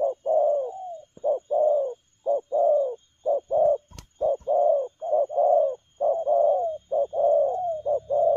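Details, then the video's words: Spotted dove delivering fast cooing in a lively style: soft, hollow, low coos follow one another almost without pause, about one per second, slightly falling at their ends, with a single sharp click midway. "Nết chơi nhanh lẹ, gù tốc độ"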